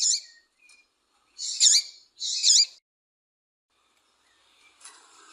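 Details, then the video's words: Female double-collared seedeater calling to excite a male into singing, giving sharp, buzzy, high chirps: one at the start, then two strong ones under a second apart. A faint rustle follows near the end. "Fêmea Fogosa Chamando e Piando Esquente Seu Coleiro"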